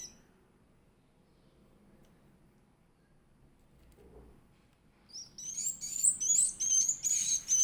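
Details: Edible-nest swiftlet chick being fed: near silence for about five seconds with a faint low thump, then sudden loud, shrill, high twittering calls in quick repeated bursts until the end.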